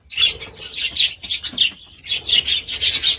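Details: Budgerigars trilling and warbling in rapid, high, buzzy bursts, with one short pause midway before the chatter resumes.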